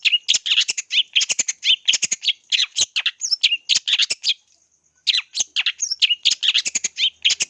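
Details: Long-tailed shrike song played as a lure to train birds: long, fast, chattering stream of harsh scratchy notes mixed with whistled slurs and mimic-like phrases, broken by one pause of about half a second.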